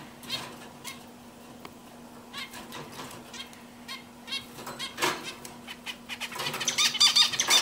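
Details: Zebra finch with scattered soft clicks and short notes, then a loud, rapid, buzzy song phrase of dense high notes during the final second, over a faint low hum.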